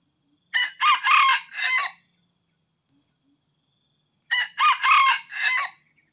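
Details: Red junglefowl lured by a trapper's decoy crowing twice, each crow a short opening note then drawn-out harmonic phrases over about a second and a half, with a brief run of soft high chirps between the crows and constant insect whine.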